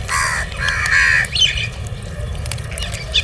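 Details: Crow calling while being fed, giving harsh drawn-out caws in the first second, then shorter rasping notes, over a low steady outdoor rumble.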